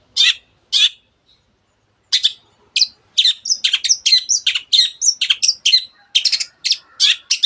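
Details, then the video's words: Long-tailed shrike singing to excite other birds into song: two lone harsh notes, a pause, then a dense chattering run of grating notes and short whistles. "cendet gacor teot teot jadikan burung anda cepat emosi dan ikut gacor"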